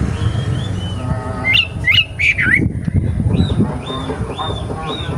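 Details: Young forest wambi: a few soft whistles, then a burst of sharp rising notes, then four evenly spaced clear whistled notes, with rumbling low background noise.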